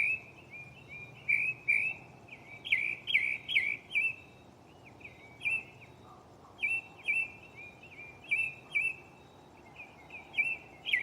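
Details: Mockingbird singing at night from a tree right next to the recorder, shuffling through its catalog of songs: groups of slurred, chirpy phrases repeated several times, with a short pause midway and steady background hiss.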